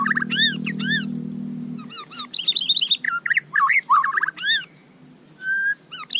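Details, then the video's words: White-rumped shama (murai batu) singing a mix of chevron-shaped repeated notes, fluttering warbles and a short level whistle, with a low droning hum early on and a faint steady high hiss throughout. "suara candu Murai Batu"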